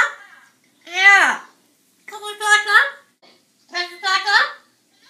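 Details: Double yellow-headed amazon talking in a high, childlike voice, saying hello, how are you and come on: short word-like phrases under a second each, about a second apart, in a quiet room.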